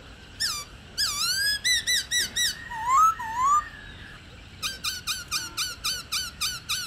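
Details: Female Black-throated laughingthrush 'ro' calling, an old wild bird used to excite caged males: sharp high rising notes in bursts, two lower swooping whistles, then a brisk regular series of about nine short notes.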